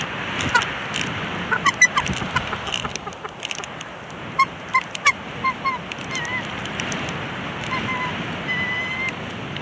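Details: Two bald eagles, a mated pair at their nest at Big Bear Lake on 24 April 2021, squabble while placing a bushy stick. Thin, high squeaky notes come in quick irregular bursts, some slurred, over steady background hiss.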